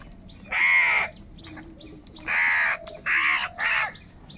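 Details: Crows calling loudly in anger while fighting over food. Three rasping caws come out, one long and then two quick ones, over faint background bird whistles.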